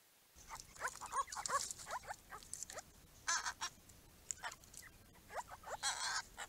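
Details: Grey-crowned Babblers at a garden pond, giving quick slurred chatter notes among repeated short hissing, splash-like bursts.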